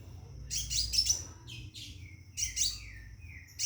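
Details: Caged Scarlet minivet calling a female to mate: bursts of sharp, high chirps in quick clusters, the bursts spaced about two seconds apart, over a thin steady high tone, with softer lower whistled notes between the bursts.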